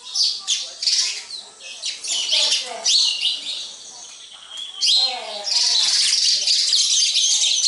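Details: A group of sparrows calling at a house: dense high chirps and tweets tumbling over one another, rising into a steady continuous chatter in the last few seconds, with a low voice-like murmur underneath.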